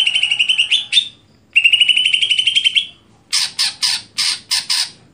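Greater green leafbird singing two rapid, buzzy rattling trills, each about a second long, then five harsh, scratchy chattering notes in quick succession.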